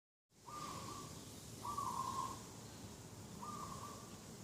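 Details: Dove calling in a garden in the morning, 2 October 2021: three level, slightly rolling coo notes of even pitch, each under a second, spaced about a second apart over steady background hiss.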